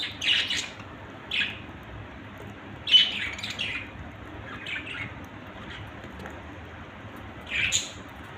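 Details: Pet budgerigars in a family group giving scattered, rasping high chirps, single notes or short pairs spaced a second or more apart, against a faint background hiss.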